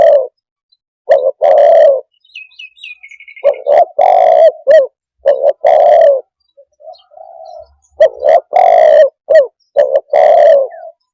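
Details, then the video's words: Spotted dove repeating its cooing phrase about four times: quick short coos and longer low resonant notes, broken by a faint high twittering and a soft low whistle in the gaps. "suab nquab quaj zoo tiếng chim cu đất"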